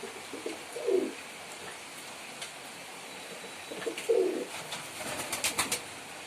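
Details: Male pigeon performing indoors, two short low rolling coos about three seconds apart, followed by a burst of rapid clicking or tapping noises near the end.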